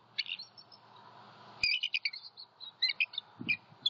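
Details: Night calls of a bald eagle pair in Southwest Florida, January 2021. The male defends his territory after an owl strike while the female incubates. Rapid high chittering notes in quick uneven bursts, with low thumps beneath.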